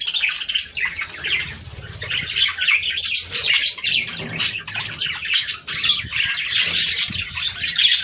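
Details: A flock of budgerigars chattering, a recording for stimulating mating; continuous high warbling mixed with harsh squawks and squeaky whistles, growing busier toward the end.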